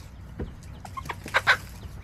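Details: Backyard chickens recorded on July 17, 2024 by a chicken camera. Scattered short clucks rise to two louder clucks near the end, over a low background hum.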